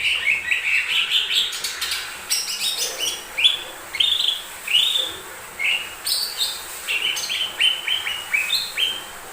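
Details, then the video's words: Lesser green leafbird sings continuously to lure other birds into singing, a lively run of rising slurred whistles and sharp chips, varied and rapid throughout. "Pancingan burung cucak ijo mini"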